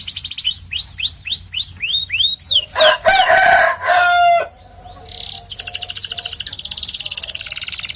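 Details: Song of a white canary: slow series of looped rising whistles, then a loud rasping, noisy stretch with lower tones, followed by a quieter high buzzy roll and fine rapid trill.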